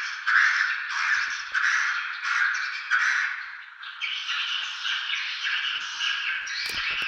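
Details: Swiftlets at Tambunan giving pulsing bursts of rasping twitter roughly once a second, shifting to a higher, denser chatter toward the end, with a few faint clicks.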